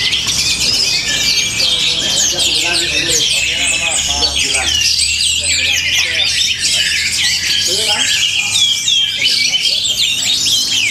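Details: Orange-headed thrush from Tabanan, Bali, singing a dense, unbroken torrent of fast chirps, trills and short whistled slurs high in pitch, with thin sustained whistles woven through and a faint low hum beneath.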